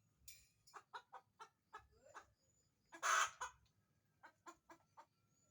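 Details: Chicken after laying: spaced short clucks lead into one loud rasping squawk, followed by a few more clucks and faint background hum.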